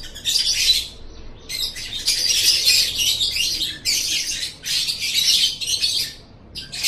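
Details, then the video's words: Lovebird in long, continuous ngekek chatter, a recording meant to make other lovebirds chatter. High, harsh, scratchy twittering comes in dense bursts of one to two seconds, with short gaps between them. "RAJA NGEKEK!!! suara ini DIJAMIN 100% bisa bikin LOVEBIRD ANDA NGEKEK NGEKEK"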